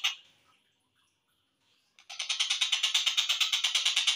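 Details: Collared kingfisher in a slowed-down training recording for songbirds: after a short harsh note and a quiet pause, a rapid run of loud, raspy, buzzy notes starts and repeats about three times a second to the end.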